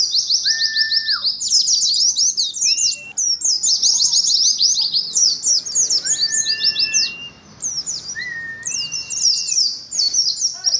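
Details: Shrill, rapid 'ngalas' twittering from caged Oriental white-eyes in a colony setting, the high chirps broken repeatedly by long, level, lower whistles about every two seconds.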